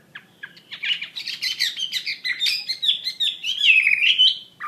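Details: Chinese hwamei pouring out 'gacor' song: a dense, jumbled burst of chattering and whistled notes that settles into longer clear, slurred whistles.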